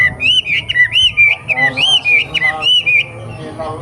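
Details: Young wild wambi from the forest singing a series of clear whistled notes, each rising then falling, given rapidly several times per second with little pause, over a faint low rumble.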